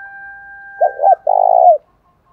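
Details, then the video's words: A single spotted dove lure phrase, male or female bird, used to stir fighting: two short hollow coos then a long, pulsing, slightly falling coo, preceded by a steady whistle-like tone. "chim cu gáy mồi giọng thổ đồng thúc đấu rút bổi nghe rất nhanh về"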